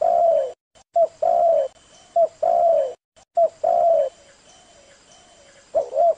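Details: Spotted dove lure call: soft, hollow coos in short repeated phrases, each note slightly falling, about one every second, with a faint hiss behind.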